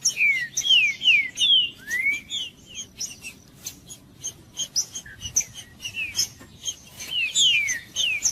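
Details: Singing green-winged saltator used to warm up a cold male for song tournaments: bursts of clear downslurred whistles alternating with scattered short chirps and clicking sounds, fairly fast and irregular.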